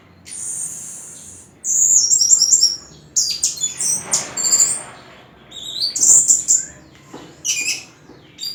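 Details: Champion orange-headed thrush delivering a loud, high-pitched song of rapid trilled phrases, sharp chirps and quick whistled slurs, with brief gaps between bursts and a faint steady hiss beneath.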